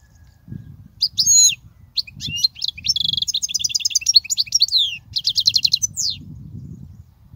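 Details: Song of a European goldfinch, offered as a model for young goldfinches: long, fast twittering phrases mixing clear chirps, buzzy rattling trills and sliding notes, nearly unbroken, with light low background rumble.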